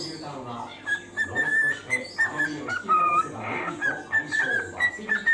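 A male parakeet chatters in quick, bursty bits of imitated speech, broken by short, clear whistles and squeaky notes that rise and fall.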